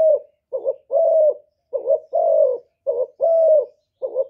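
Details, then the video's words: Lure spotted dove from Cà Mau, Vietnam, calling to entice wild doves: short and long soft coos alternate quickly, the longer notes slightly falling, in a brief clean burst. "CU GÁY MỒI ĐẤT, CU ĐẤT GÁY, CU CƯỜM GÙ KÍCH BỔI, TIẾNG CHIM CU MỒI"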